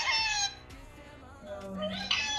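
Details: A talking pet parrot called Mithu gives two loud, buzzy, voice-like bursts at the start and end, with quieter mutterings between, as it repeats words such as "Mithu", "Radhe" and "Sitaram"; a person's voice is faintly heard.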